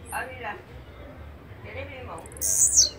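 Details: A high, buzzy, descending burst from a blue-black grassquit near the end, after a few faint, lower warbling sounds in the background.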